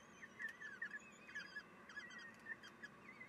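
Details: Common kestrel nest, morning of 3 June 2021, female feeding chicks; quiet high squeaky notes, some slurred upward, come in quick irregular succession over a steady low hum.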